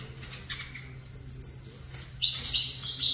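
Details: Saffron finch facing another saffron finch: a couple of thin, high whistles, then a sudden burst of quick, bright chirps, with a soft hum below.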